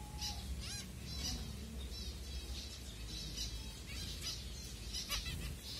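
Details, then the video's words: Feeding-time finches in Kanyakumari, Tamil Nadu, India, recorded by phone at Kumarapuram Thoppur: high chirps mixed with quick sweeping notes, an irregular chatter over a constant low hum. "Finches 🐦Ep#08 Food time"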